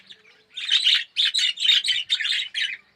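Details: Australian red-eyed budgerigars kept as a colony in an aviary, yellow birds, giving a short series of about seven warbled chirps, roughly two per second.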